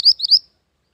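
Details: Mantenan gunung bird singing a short burst of three quick, high upslurred whistled notes, used as lure and training master song, ending abruptly into silence.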